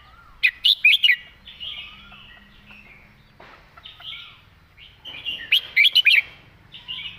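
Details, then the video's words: Red-whiskered bulbul singing a master-song phrase with smooth delivery: two bursts of four or five loud, bright, fluty notes about five seconds apart, with quieter chirps and thin whistles from other birds between. "นกกรงหัวจุก"เพลงแม่บท เดินสำนวนสวย"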